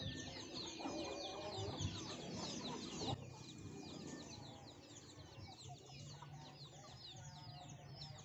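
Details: Many chicks and hens eating young rice given by farmers; a constant chorus of thin, falling chick peeps, several per second, over low rumbling background.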